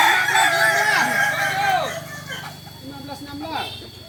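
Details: Kokok Balenggek chicken training alongside others in Ampang Kualo, Solok city, West Sumatra, Indonesia; a crow already under way opens loud with stacked arched notes, then tails off into softer scattered syllables and distant answering crows.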